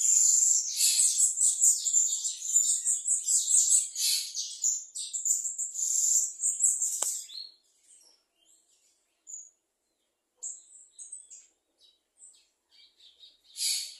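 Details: Bananaquit or plumbeous seedeater pouring out a long, high, rapidly pulsing twittering song for about seven seconds, followed by scattered short chips and a final burst, with one sharp click midway.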